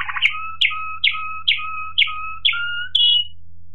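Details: Waterslager Malinois canary from 2018 repeating a two-part phrase about twice per second, each a sharp upper note gliding down over a low, steady hollow tone, seven times in a row; mains hum audible.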